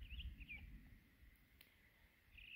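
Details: Townsend's solitaire singing from the very top of a dead tree in winter, defending its territory of juniper berries; short warbled phrases at the start and end of the clip, with low wind rumble throughout.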